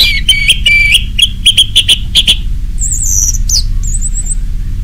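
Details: Orange-headed thrush singing ngeplong, meant to prompt other birds to sing: rapid rhythmic chattered notes at mid pitch, then high wavering thin whistles, over a steady low hum.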